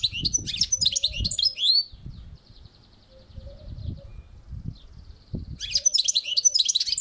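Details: European goldfinch on a balcony pouring out a fast, high, jumbled twittering song with tinkling and buzzy notes, pausing, then resuming, over a low rumbling background.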